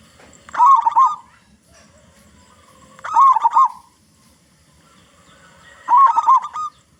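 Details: Local zebra dove with a big voice, used as a lure to get other zebra doves singing: three loud cooing phrases about every 2.7 seconds, each a wavering note followed by quick clipped coos, over faint low background noise.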